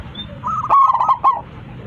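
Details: A Zebra Dove calls its flock with one short, loud, strong-voiced phrase: quick clipped notes running into a few rounded, bubbling coos, over faint low background noise.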